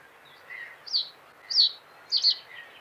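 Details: Common reed bunting delivering a short song of two descending high chips and a final doubled note. Fainter lower chirps, likely from another bird, and mild background noise are also audible.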